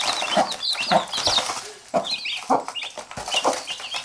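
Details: Hen mothering chicks that nip at her, giving short low clucks about every half second over a chorus of high rising chick peeps.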